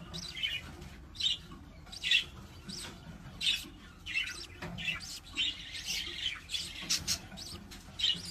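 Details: Budgerigar (Melopsittacus undulatus), begging call: chick begging for food from parents.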